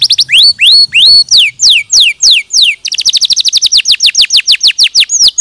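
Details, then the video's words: Clear canary song used as a training recording for other canaries: slow, spaced, rising and falling whistled notes, then a quick, rattling series of short chirps. "Masteran Kenari 100% Suara Jernih"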